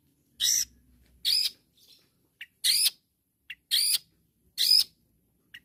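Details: Long-tailed shrike calling rivals with loud, harsh grating notes repeated about once a second, each a broad rasping burst, with faint short clicks between.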